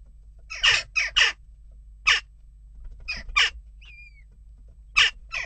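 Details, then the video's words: Western jackdaws calling amid unrest at a nest box: harsh, short 'kya' notes in pairs and singles, spaced irregularly over a few seconds, with a faint thin rising whistle in the middle and a low hum underneath. "Onrust blijft door--kauwen"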